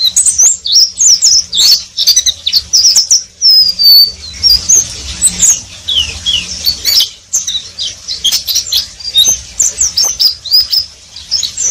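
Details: Oriental white-eye keeps up ngeriwik song without stopping, long bursts of rapid, high, jumbled chirps and short trills, one drawn-out slurred whistle midway, and quick scratchy notes throughout.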